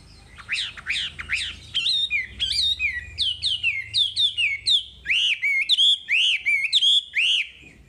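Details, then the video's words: Varied wambi song for training other cage birds: bold downslurred whistles, then a long series of arched, ringing notes delivered roughly twice a second with rich overtones. "Masteran Wambi paling istimewa full materi"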